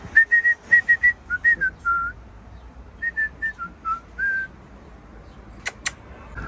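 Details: Sulphur-crested cockatoos, three birds kept as pets, one of them greeting its owner; a run of clear whistled notes, mostly level, some dipping, in two bursts separated by a pause, with a few sharp clicks near the end.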